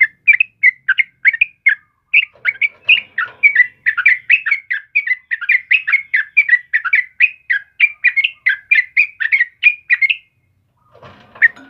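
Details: Sustained yellow-vented bulbul song, played to lure and tutor caged birds: rapid, chattering liquid notes rolling on steadily for ten seconds before stopping, followed by a soft scuffling noise.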